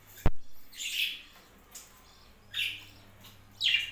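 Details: Captive budgerigars on a small home budgie farm give short bright chirps in three bursts spread over four seconds, preceded by a sharp click and a low steady hum underneath.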